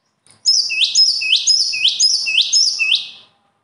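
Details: Single unbroken burst of bird song lasting about three seconds, made of six repeated phrases, each a sustained high note ending in a sharp upward-swept ring.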